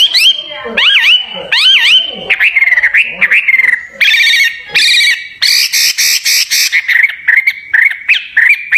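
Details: Caged songbird set for a singing contest, giving looping whistles, then a buzzy warble and a burst of harsh, rapid rattling notes before softer chips.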